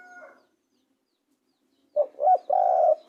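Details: Spotted dove giving one three-part coo: two short low coos, then a longer sustained coo, after a faint earlier note and silence.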